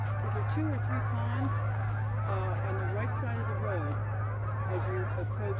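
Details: Wild geese flying over the Rio Grande riverbank trail in New Mexico: a flock gives many short, nasal, bending honks, overlapping and irregular, above a steady low hum.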